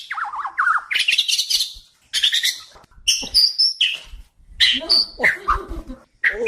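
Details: White-crowned shama song used to train other birds: jumbled varied phrases of slurred whistles, harsh chatter and sharp squeaky high notes in irregular bursts.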